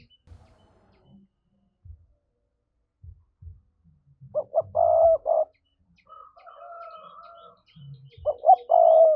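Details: Lure recording of a spotted dove's 'thúc' coo. Two low, throaty phrases about four seconds apart, each of quick clipped notes ending in a longer held coo, with a faint higher tone and dull knocks between.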